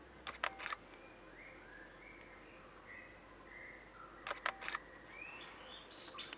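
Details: Orange-headed thrush (Geokichla citrina) giving soft, sweet whistled notes in short slurred phrases that rise and fall, with camera shutter clicks and a steady high insect hum.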